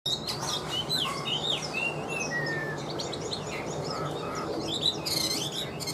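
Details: Caged Chinese hwamei, freshly moulted and large-bodied, in Vietnam: bright whistled phrases sliding between mid and high pitch, some overlapping, over steady low background noise.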